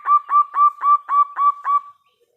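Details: Local zebra dove with a loud voice, singing vigorously as a lure to provoke other doves to answer: six rhythmic, staccato cooing notes in quick succession, evenly spaced, then a trailing soft tone and silence.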